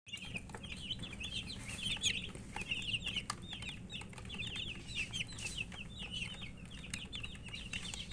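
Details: Domestic chicks peeping, said to be thirsty for drinking water; a dense flock chorus of high, downslurred chirps overlapping continuously, with faint scratching and low background hum.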